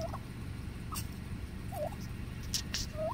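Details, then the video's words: Wild turkeys in a cemetery give a few short, quavering mid-pitched trills about a second apart, over a low steady rumble with a couple of faint sharp clicks. "Wild Turkey Trills"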